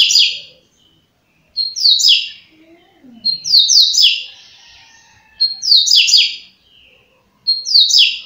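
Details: Double-collared seedeater singing the fast "flash" song style, about thirty songs a minute. Four bright, buzzy, downslurred phrases are separated by short pauses and repeat roughly every two seconds. The background is quiet indoors.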